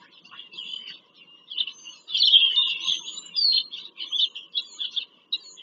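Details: Bald eagles visiting a nest in Pennsylvania farm country, 5 February 2023, from a live nest camera. A sustained stream of high, twittering chatter swells loudest in the middle, with thin whistled slides overhead.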